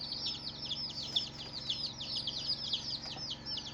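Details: Colourful baby chicks chirping hard, strong high-pitched downslurred peeps packed closely together from several birds, lively and unbroken, faint hum below.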